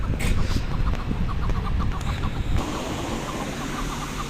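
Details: A caged chukar on a mountainside in spring gives short, hoarse chucking notes about three times a second over a strong low rumble of wind or engine noise, a call said to draw in wild partridges.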